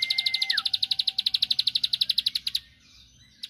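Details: Rapid run of sharp, high clicking notes from a bar-winged prinia, meant to stir a rival to reply. A flat whistled tone fades out early, the notes stop after about two and a half seconds, then briefly restart.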